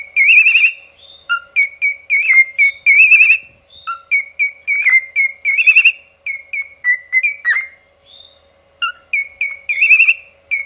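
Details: Cockatiel kept as a pet, performing its 'opera singing': clear high whistles and wavering trills strung into phrases, notes often repeated, separated by short silences, a low constant hum underneath.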